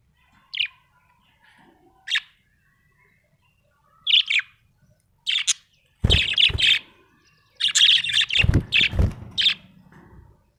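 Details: Budgerigar described as happy, starting with sparse single high chirps, then building into longer bursts of scratchy, warbling chatter mixed with low thumps and rustling.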